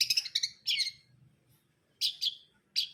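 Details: Cendet brundol, a long-tailed shrike, calling in clusters of scratchy, chattering high notes. A rapid chatter of paired harsh phrases comes first, then a pause, then a few more rasping bursts.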